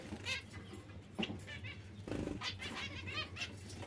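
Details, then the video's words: Zebra finch producing a few sparse nasal call notes at irregular intervals, with a low background hum and a soft rustling burst midway. "Il diamante💎 mandarino🍊"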